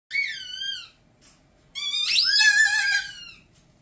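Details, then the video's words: Pet male umbrella cockatoo indoors producing a sound he was taught, quieter than his usual screams: a harmonic, slightly wavering squeal lasting under a second, then a pause and a longer, louder squeal with an arching pitch sweep in the middle. "Teaching A Cockatoo The Most Annoying Sound In The World"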